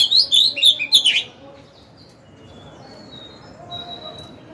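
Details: Caged decoy Oriental magpie-robin singing to lure wild rivals into a fight and rouse males: a rapid burst of loud, varied whistled and chattering notes lasting about a second, then only faint, thin, distant whistles.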